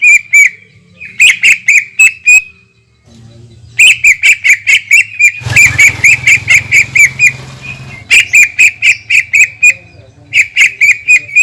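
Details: Greater green leafbird delivering a lure song of long 'tembakan' runs: fast, evenly spaced high chips strung into several extended bursts, one passage overlaid by a soft rushing noise.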